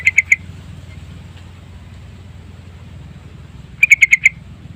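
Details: Yellow-vented bulbul lure song: three quick chirps at the start, a long quiet gap of over three seconds, then a brisk phrase of five bright notes; faint low hum throughout.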